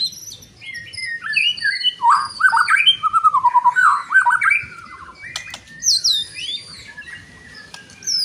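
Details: Loud song of a white-rumped shama used to work other shamas into fighting form: a dense, rapid run of varied chattering and whistled notes, then sparser high downslurred whistles.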